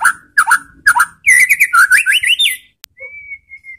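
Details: Provoking song of a white-rumped shama: several rich, looping whistled phrases give way to a rapid series of rising slurred notes, then a sharp click and a long, thin, level whistle.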